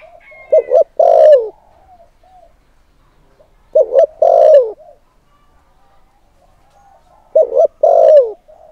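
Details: Spotted dove used as a lure bird, calling to provoke wild males: three short bursts of low hollow cooing notes, each phrase of several stuttered coos ending in a longer drawn coo, spaced about three to four seconds apart.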